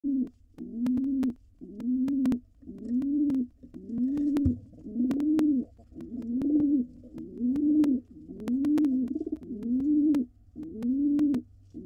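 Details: Wild male pigeon at a nest box cooing to court the female before laying while she dances; low, rounded coos rise then fall, repeated about once a second, with sharp clicks and a faint low hum behind.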